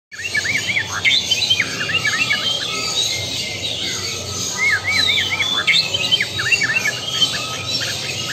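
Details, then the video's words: White-rumped shama of the Lampung type singing: bright, quick upslurred chirps repeated in loose runs, with a steady high hiss behind them. "Murai batu Lampung Super XBL"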